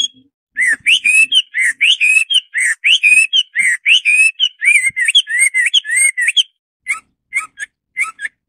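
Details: Garrulax canorus, the Hwamei, delivering a sustained rapid stream of loud varied whistles, swooping up and down, then spaced single notes toward the end.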